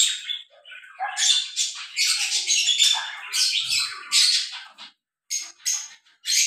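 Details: A lovebird pair mating gives raspy, high squawks and twittering in a busy stream, then a brief silence and a few final sharp chirps.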